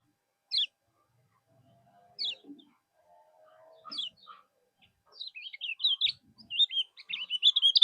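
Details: Common iora (kecial kuning) tutor song, kept as a bird-training recording meant to provoke rival birds into answering: sparse sharp high chirps at first, then a quickening run of looping whistled and trilled notes near the end.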